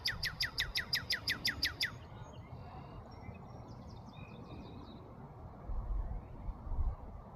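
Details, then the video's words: Northern cardinal, called red cardinal, chirping in Markham, Canada: a fast run of about nine sharp, down-slurred notes packed into two seconds. Faint, distant bird calls and a low background rumble follow. "Red Cardinal Chirping Sound"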